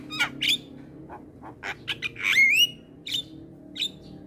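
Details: Actively singing Javan myna, recorded for training and provoking other mynas: scratchy notes, clicks and a rising whistled phrase in the middle, then scattered harsh calls.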